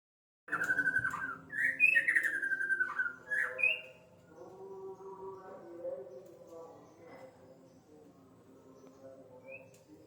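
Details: White-rumped shama singing in the afternoon: a run of loud, varied whistled phrases sliding between low and high notes for about three seconds, then fading to softer low warbling with a steady background hum.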